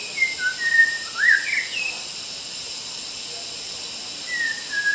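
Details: Master song of a white-rumped shama used to train other birds: a burst of quick whistles, including a sharp rising slur, in the first two seconds, then quiet hiss before two soft whistles at the end.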